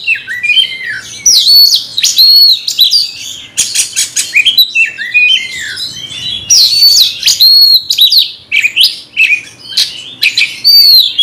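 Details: Magpie-robin in aggressive fighting mood, singing against a rival: near-continuous jumble of sweet whistled notes, buzzy rasps and rapid clicking trills, loud throughout.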